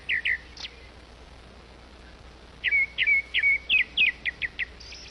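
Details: Grey-backed thrush, a mother feeding her chicks: short sharp chirps, two at first, then a quick series of about eight repeated chirps, over steady low background noise.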